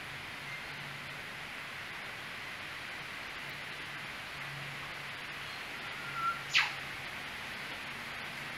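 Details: Eastern whipbird (Psophodes olivaceus) acting as lookout and calling while its partner feeds at a daily breakfast visit, December 2016: after quiet hiss, a brief whistle leads into one loud, steeply plunging whip-crack near the end.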